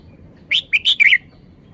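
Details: Red-whiskered bulbul showing a three-syllable song, called sweet and melodious: a brisk phrase of four bright, sharp whistled notes packed into under a second, with quiet surroundings.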